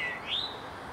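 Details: Eastern towhee recorded on February 13, 2017 at Clyde Shepard Nature Preserve: one clear upslurred call that climbs quickly, then levels off and fades, over a quiet background.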